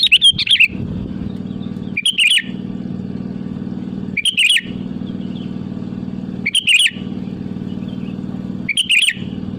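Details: Sooty-headed bulbul lure song calling rivals: five short bubbly bursts repeated roughly every two seconds, each a brief tangle of bright notes, above a loud continuous low engine-like drone.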